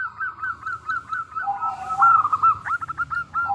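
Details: Local zebra dove singing as a lure to prompt other doves to answer: a string of quick bent notes running into a smooth rolling trill, then sharp clipped coos at the end.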